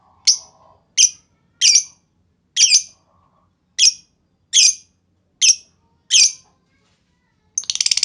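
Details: Lovebird lure calls to prompt other lovebirds to reply: eight harsh, sharp squawks spaced under a second apart, then a short burst of rapid buzzy chatter at the end.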